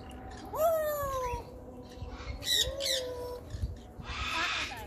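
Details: Pet African grey parrot talking non-stop: two long rising-then-falling whistles, bursts of harsh squawking, and a noisy rasping burst near the end, in a quiet indoor setting.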